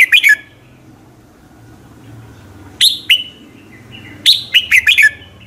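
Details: Morning song of a red-whiskered bulbul, the competitive 'hót đấu' style used to train and excite other birds: three short bursts of clear, descending whistled notes, the last phrase longer with several quick syllables.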